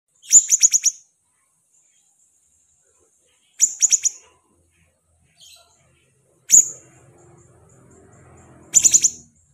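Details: Pet siri-siri bird singing eagerly: short bursts of three or four rapid, very high, sharp chirps, repeated every few seconds, with a single piercing note in between and faint rustling between phrases.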